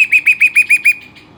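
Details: Pet Western rock nuthatch giving six loud, ringing notes in quick succession, then falling silent.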